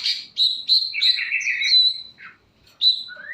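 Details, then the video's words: Long-tailed shrike singing energetically with a varied repertoire: a run of clear, high whistled and slurred notes, some held and some falling, then a short pause and a rising whistle at the end. "pentet cendet gacoorr suara full variasi"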